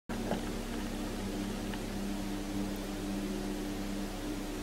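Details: A steady, droning mechanical hum, like a fan or engine, fills the recording and no animal is heard.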